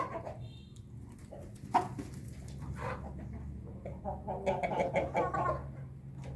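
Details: Bangkok hen giving a laughing crow after drinking: low clucks, then a run of harmonic, stuttering notes near the end, over a steady low hum.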